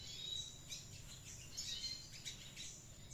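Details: Red siskin, a bird called gundul classic, actively singing in the ngriwik style: faint, rapid high twittering of short chirps and thin whistled notes in bursts, with steady low background rumble throughout.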